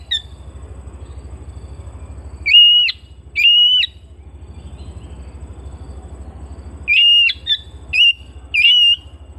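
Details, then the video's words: Oriental magpie-robin kept at home, singing short bursts of bright, steady whistles with quick upturned starts, two phrases then a gap before a cluster of four, a low humming drone throughout. "Terapi Burung Kacer Rumahan Dua Puluh Empat Jam"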